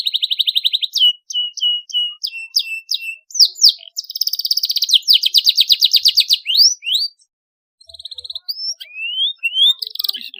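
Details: Canary singing a sharp rolling song meant to draw young canaries into singing: repeated high chirps, fast dense trills, rising whistled slurs after a brief pause, all high-pitched and clear.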